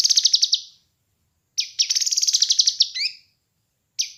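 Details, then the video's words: Rapid chattering bursts of high notes from a kinoi bird, in a recording for training and luring birds, followed by a pause, a longer stuttering trill and twangy descending notes. "Masteran Dan Pancingan Burung Kinoi"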